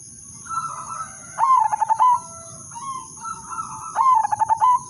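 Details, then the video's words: Zebra dove (perkutut), udanmas silver, singing to draw other zebra doves into song: soft cooing leads into two loud rhythmic bursts of staccato coos, with quieter cooing between and a steady high whine behind. "perkutut/merbok udanmas silver irama merdu spesialis pancingan bikin semua perkutut ikut manggung"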